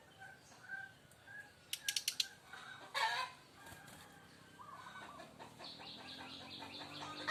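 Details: A brown-chested jungle flycatcher from Bali, shown as a fighter, gives loud kretekan: a quick run of sharp clicks, a harsh burst, then a trilled phrase followed by rapidly repeated pulsed notes.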